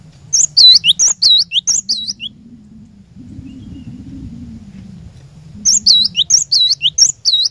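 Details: Java sparrow song meant to coax a caged bird into singing: quick series of high chirps and looped whistled syllables, a pause with low humming background, then the rapid chirping run resumes.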